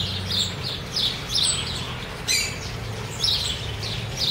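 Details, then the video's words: Flock of wild chopi blackbirds being fed in Cuiabá, Brazil: clipped bright chirps roughly once a second, one sharper burst midway, set against low background rumble. "PÁSSARO PRETO"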